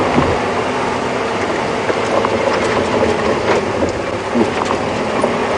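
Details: Rough, rattling noise from a moving vehicle on a safari drive, steady throughout with no animal calls.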